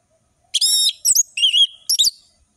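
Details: Orange-headed thrush singing full-variation ngeplong song: a long harsh, grating note, then short chirps and a wavering whistled trill, closing with a bright twittering burst.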